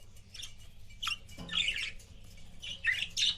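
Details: Pet budgerigars, a couple, giving scratchy high chirps and warbled notes, rising toward the end, over a low background hum and a brief knock.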